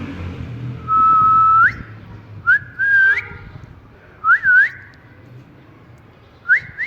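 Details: Pet ring-necked parakeet, a talking parrot, enjoying cool weather: one long steady whistle rising at the end, then several short upslurred whistle notes in pairs, under a low hum.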